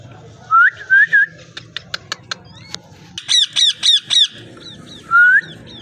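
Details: Parrot sounds indoors: three quick upslurred whistles, a run of clicks, then four loud harsh downswept squawky notes in a row, closing with one rising whistle.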